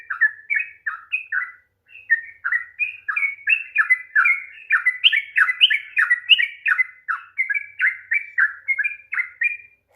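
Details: Sustained sooty-headed bulbul song for provoking a reluctant singer: a long chattering stream of short whistled and slightly harsh notes, around three per second, with one short pause near the start.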